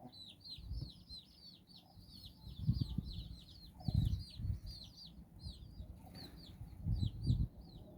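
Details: Domestic hen out walking with her nine chicks in Bizkaia, Basque Country, the chicks exploring and playing; dense, high, downward-slurred peeps repeat rapidly throughout, with low soft clucks and thumping handling noises near 3, 4 and 7 seconds.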